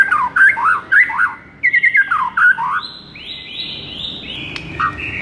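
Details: White-rumped shama masteran (tutor song) meant to rouse a sluggish bird into fierce singing: rapid chirpy warbled phrases swooping up and down, then a series of long, level, clear whistles stepping between pitches.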